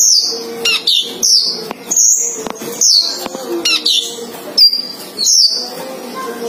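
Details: Male and female sunbirds kept together in a cage. Sharp, high downslurred whistles come about once per second, with brief chips between them and soft music in the background.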